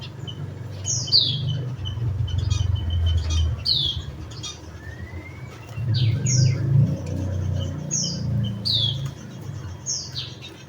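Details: Series of high, downslurred Javan munia chirps roughly every second, with softer notes between, over an intermittent low engine-like rumble.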